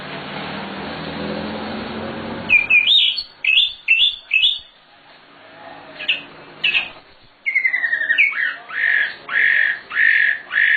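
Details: Nightingale, or sikatan londo, in lively varied song for teaching other birds: low background hum at first, then sharp rising and falling slurred whistles in uneven bursts with short gaps, ending in a run of rich repeated notes.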